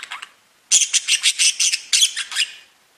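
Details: Budgerigars tweeting as pet birds: a few light chirps, then a loud run of about ten rapid harsh, buzzy notes fading at the end.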